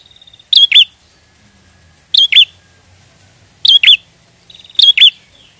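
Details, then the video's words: Energetic prinia song meant to attract prinias for trapping: four evenly spaced bursts of piercing paired chirps, the first and last preceded by a quick buzzing rattle. "Pancingan prenjak gacor ampuh pikat burung prenjak"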